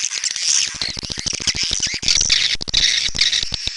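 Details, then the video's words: Swiftlets, burung walet, calling in a steady wash of high buzzy twittering over rapid low clicking pulses, with no pause throughout. "SUARA BURUNG WALET"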